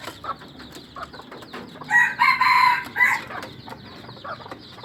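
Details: Junglefowl from Aceh, kept in a breeding facility, gives a short crow around two to three seconds in: a loud harsh burst of stacked tones in three pulses, with faint clucks and rustling before and after.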